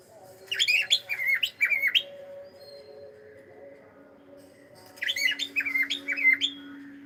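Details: Household cockatiel saying hello: two bursts of quick, chirpy warbled whistles several seconds apart, with a faint steady hum between them.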